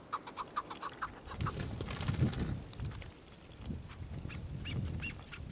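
A chukar gives a quick run of eight or nine clucking notes, several per second, then breaks off under heavy low rumbling and wind, with faint calls later.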